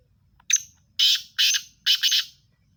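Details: Black francolin, known locally as Sindhi teetar: one short harsh note, then three loud grating, buzzy bursts about half a second apart, the last one doubled. The background is otherwise quiet.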